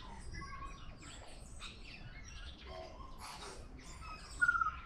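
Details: A tui in Auckland, New Zealand sings soft scattered bell-like notes, clicks and wheezes, ending in one clear, loud falling whistle over a steady low outdoor rumble.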